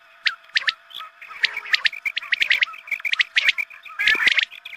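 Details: Quail call used as a dawn lure for quail hunting, sounded at morning prayer time: rapid clusters of bright chirps and short squawky notes crowding together, with a thin constant hum underneath.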